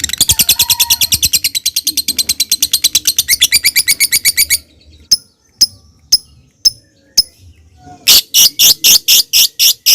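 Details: Lovebird lure recording, ngetik then ngekek: a long loud run of rapid high clicking chatter, then a pause with a few isolated sharp ticks, then the rattling chatter starts again.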